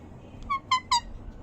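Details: Pet talking parrot in a room giving three short, nasal, rising yelps in quick succession after imitating dog sounds, with faint room noise.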